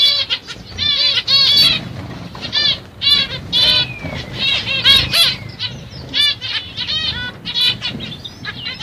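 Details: A CFW (pastel mutation) black-cheeked Zebra Finch gives nasal, buzzy, toy-trumpet notes in quick repeated bursts.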